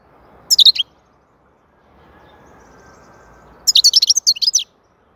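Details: European goldfinch song: a short opening burst of high tinkling notes, a pause of about three seconds, then a longer run of fast, sparkling twitters and trills lasting nearly a second.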